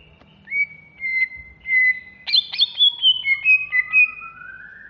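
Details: Greater green leafbird from Alas Purwo, caged and contest-ready, singing agitatedly with long level whistles, then a rhythmic series of about eight clipped whistled notes and a slow rising tone.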